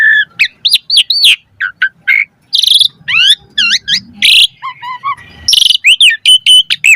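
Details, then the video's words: Jalak suren mompa-style song, Asian pied starling, for getting birds to sing: quick chirps and twisting whistles, harsh noisy bursts, soft low piping notes, and a closing run of rapid high notes. "Pancingan Jalak Suren Full Variasi Mompa - Masteran Suara Burung Jalak Agar Gacor Full Isian Mewah"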